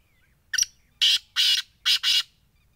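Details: Black francolin giving a loud, harsh, buzzy call: a short clipped note followed by four rasping, broad-band notes in quick succession, with nothing else heard.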